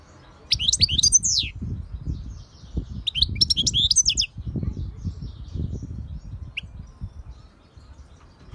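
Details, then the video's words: European goldfinch song: two bursts of rapid, tinkling, high twittering notes about a second long each, separated by a pause, with a single faint note later; low rumbling noise runs underneath throughout. "SAKA KUŞU ÖTÜŞÜ"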